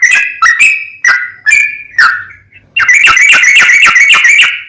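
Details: Sooty-headed bulbul tutor song in energetic 'gacor' style: several spaced, slurred whistles, a short gap, then a fast, dense burst of chattering notes.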